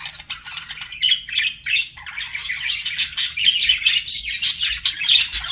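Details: Pet budgies flirting, giving a dense, continuous warble of scratchy chirps, squeaks and short harsh notes, rising and falling in loudness with brief pauses, heard up close indoors.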